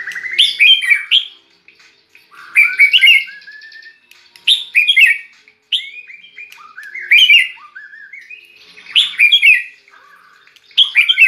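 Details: Kept White-rumped shama, raised near red-whiskered bulbuls, singing in a bulbul-like voice: short bright whistled and chirpy phrases, some rising or falling, each burst about a second long and repeated roughly every two seconds with clear pauses between.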